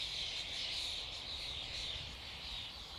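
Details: A flock of common starlings gives an unbroken, high, wheezy chatter of many birds calling at once, steady in loudness throughout.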